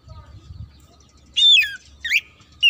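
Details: Oriental magpie-robin in full song meant to provoke a rival into fighting: after faint murmuring voices, loud clear whistled notes sweep downward, with a second and third short whistled phrase following.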